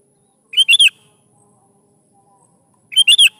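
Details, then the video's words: Sooty-headed bulbul singing steadily, used to prompt young birds to reply; a quick three-note phrase, the notes rising then dropping, repeated after about two and a half seconds in a quiet setting. "PANCING SUARA BURUNG KUTILANG GACOR SATU INI"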